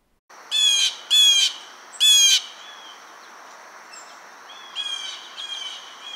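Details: Blue Jay, a winter backyard bird of eastern North America, giving its "jay jay" call: three loud, harsh, nasal jeers in quick succession, followed by a few softer, more distant calls.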